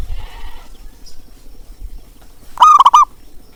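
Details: Zebra dove coo meant to coax reluctant birds to sing: after faint distant cooing and near silence, one loud, quick, stuttered rolling phrase near the end.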